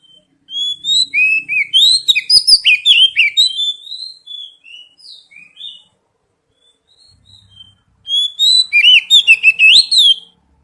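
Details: Oriental magpie-robin song played as a lure and therapy to get an untrained bird singing. Two bursts of rich, fast song with high, varied whistles, chirps and trills, separated by a few seconds of sparse softer notes.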